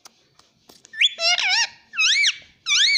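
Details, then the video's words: A pet parrot, tagged as a green ringneck, imitates "mummy papa" in three quick, high, nasal bursts with rising and falling inflections, after a few soft clicks and taps in a small room. "parrot talking mummy papa"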